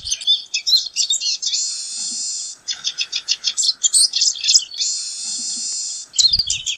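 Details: Pine siskin song mixing quick twittered phrases with two long, drawn-out buzzy wheezes, then more chattering trills; a brief low knock near the end.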